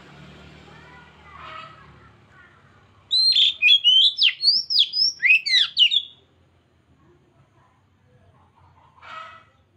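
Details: Oriental magpie-robin song played to prompt a silent bird into singing: a loud three-second burst of rapid, repeated high whistled and chattering notes, with faint murmuring voices before and after.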